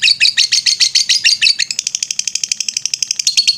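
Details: Ngetrek song of a lovebird, recorded as a master for training birds: loud, harsh high notes that speed into a fast, even trill of clipped chirps.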